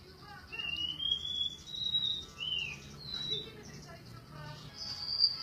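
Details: Golden-bellied gerygone giving thin, high whistled notes, some level and some dipping, strung together in a meandering phrase above a murmuring background with faint lower sounds.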